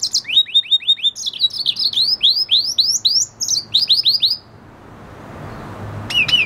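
A red siskin–canary hybrid sings a fast, high twittering song of repeated downslurred notes and buzzy trills, then pauses before a brief final phrase.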